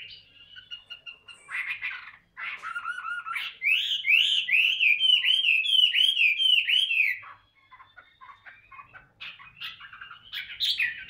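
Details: Tame caged Chinese hwamei in voice-practice singing: varied whistled phrases, then a loud run of about eight repeated down-slurred notes, then quieter broken twittering and a closing burst of whistles.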